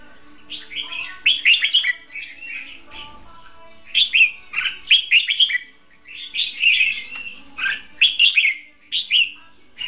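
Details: Caged decoy red-whiskered bulbul used to lure wild birds into a trap, delivering hót đấu fighting song: clusters of quick, liquid, warbling notes, several phrases back to back, separated by brief pauses.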